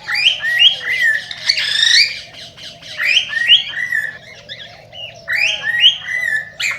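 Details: Cockatiel song played to encourage pairing and breeding, a nearly continuous run of harsh, chattering squawks mixed with short whistled upslurs and warbles, delivered about two to three notes per second over a faint low hum.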